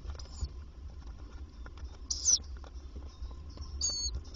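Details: Tawny owl at a nest box by day on 27 May 2023, the female arriving to feed her young: two or three brief, raspy, high hissing bursts separated by one to two seconds, with soft rustling and a low background hum.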